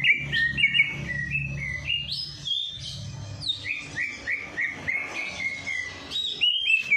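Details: Songbird singing, played to spur a lazy bird into song after its night bath: quick shifting whistles and short slurred notes in fast, uneven series, with a low steady hum beneath.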